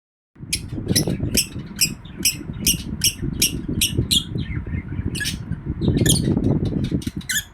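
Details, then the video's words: Happy lovebird giving rapid, shrill, squeaky chirps in quick repeated bursts, with a steady low rumble of room noise underneath. "Happy Love bird chirping sound"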